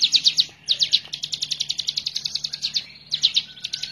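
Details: Hill prinia singing vigorously for use as a training master: a long, steady run of high, clipped chip notes, roughly seven per second, then a brief pause and a fresh burst of paired sharp notes.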